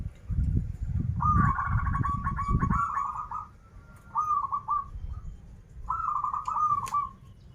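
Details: Local Banten zebra dove in full song, krital and warung kebek styles: a long rippling trilled coo, then shorter purring phrases, while heavy low thumping and rumbling dominate the first three seconds.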